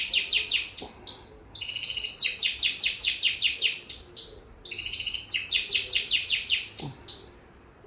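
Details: Canary singing: high, rapid trills of repeated buzzy notes in long rolling phrases, broken by short pauses and a sustained pure whistled tone, with a faint low background hum.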